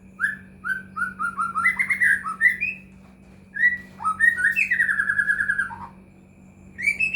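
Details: White-rumped shama song played as a lure to make other shamas sing: spaced whistles speeding into a rich varied run, another rapid warbled phrase with dropping notes, then a closing upward whistle, over a low steady hum.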